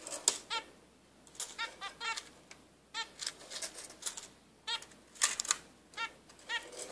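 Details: Two-day-old zebra finch chicks give short, nasal, buzzy peeps in quick bursts of two to four, several times a second, with soft clicks and rustling between.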